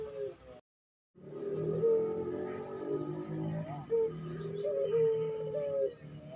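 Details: Barbary dove, a captive bird in the pelung style, fast cooing meant for training other caged birds: long steady tonal coos overlapping with low rumbling purrs, several voices layered, after a brief silent gap near the start.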